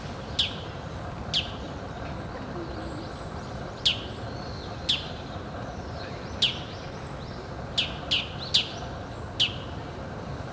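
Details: Bull-headed shrike calling to declare its territory, giving a series of shrill, harsh, high notes. They come singly or in quick pairs at irregular intervals, about eleven in all, above a constant low rumble of background noise.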